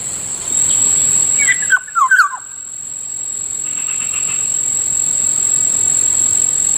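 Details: Black-naped oriole, or Kilyawan, near a rice field in the morning: one brief phrase of mellow down-slurred whistles, followed by several seconds of rising hiss and a persistent high-pitched hum.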